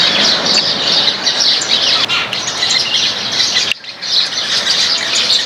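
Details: Flock of Baya weavers eating grains in a backyard; a dense, continuous chorus of high, overlapping chirps and twitters with no pause, briefly dipping near the end before resuming.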